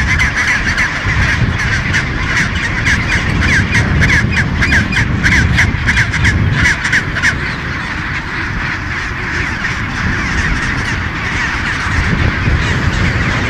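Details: Chinstrap penguin breeding colony at Baily Head on Deception Island, Antarctica, thousands of birds: rapid, stuttering harsh squawks pulse in quick bursts for the first seven seconds, then a steadier braying roar under constant low wind roar.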